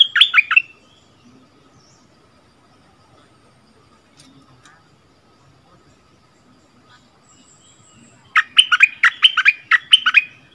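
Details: Bulbul song duel between a decoy bird and the local territory holder, recorded 3 February 2021: a short rich warble at the start, a long lull, then a lively run of loud, rapid, bubbling notes for the last two seconds.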